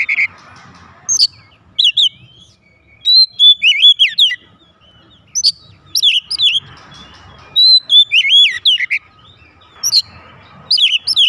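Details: Domestic oriental magpie-robin answering with loud song: repeated bursts of sharp high chips and wavering whistles, phrases recurring every couple of seconds, with faint low background noise.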